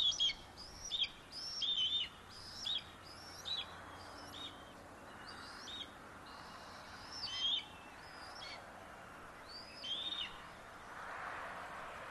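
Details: Young bald eagle in its nest tree, mantling over a fish its parent delivered to guard it from a sibling, June 30, 2022: repeated high, squeaky chittering notes, often in pairs, spaced every second or two.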